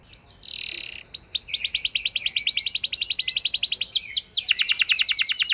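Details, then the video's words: Singing canary used as a lure for a less keen bird to respond and sing at length: a short buzzy burst, then a long steady run of fast repeated chirps and a quicker closing trill. "Pancingan Ampuh Bikin Gacor Kenari Kurang Emosi! Jadi Gacor Panjang"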